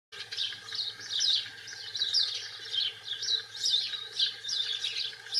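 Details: Wild European goldfinch of the britannica subspecies singing in the wild: a steady, fast, high twittering of tinkling, jangling notes in a continuous stream, with a faint low steady hum beneath.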